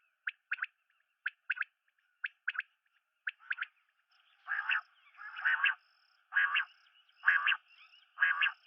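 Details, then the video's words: Common quail (Coturnix coturnix) repeating sharp three-note phrases, a single note then a quick pair, about once a second, then harsher buzzy bursts each second over a faint steady whine. "Batair ki Awaz , Batair Sound vol 31, Common Quail Sound"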